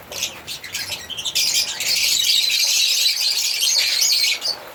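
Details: Scattered high chirps from African lovebirds swell into a steady, intense twittering chorus that runs for several seconds.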